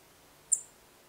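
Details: Song thrush giving its call, a single soft, very high, clipped 'sick' or 'sip', thin and barely perceptible, over near silence.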